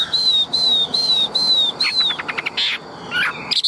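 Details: Chinese hwamei kept caged, giving four long, clear whistles that slide slightly downward, evenly spaced, then a burst of harsher, rattling and buzzy notes.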